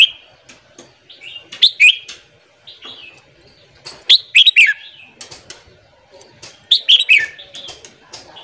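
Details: Red-whiskered bulbul singing a morning training song for newly caught birds: three energetic phrases of fast, ringing, twisting whistles, repeated about every two and a half seconds, with soft clicks between.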